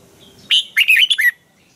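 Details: One quick phrase from an excited Thai Red-whiskered bulbul in training song: four or five clear, slurred whistled notes run together.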